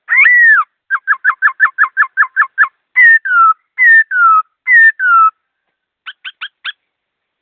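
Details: Fast, clear song from a caged laughingthrush. A long falling whistle opens, then a quick run of about a dozen short repeated notes, three paired descending whistles, and a few brief high notes.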